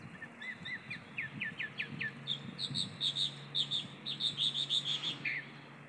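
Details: A Chalk-browed mockingbird, said to be an old bird, sings a lovely melody: a quick series of rising upslurred notes, then a rapid run of repeated bright chirps ending in a buzzy note.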